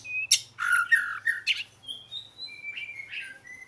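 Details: Oriental magpie-robin giving a short burst of harsh chattering notes, then clear sustained whistles at different pitches, some sliding slightly, with a low steady hum beneath.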